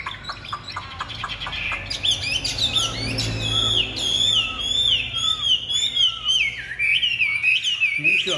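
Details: Chinese hwamei (Garrulax canorus), a caged bird with a pure white wing feather, pours out a rich, varied song of loud, slurred whistles, rising and falling phrase after phrase; a man's voice murmurs faintly at the start.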